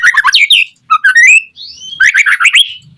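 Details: White-rumped shama in lively song, used to prompt other shamas to sing back: quick chattering bursts mixed with rising whistled slurs and one smooth gliding whistle in the middle.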